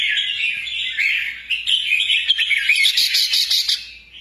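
A sooty-headed bulbul gives a busy run of bright, chirping and twittering notes, high and rapid, with no pause for about four seconds.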